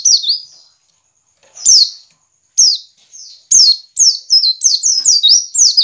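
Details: White-eye lure call of the ngiriwik type for caged birds: scattered single high slurred notes that speed up into a rapid chattering string of descending whistles toward the end.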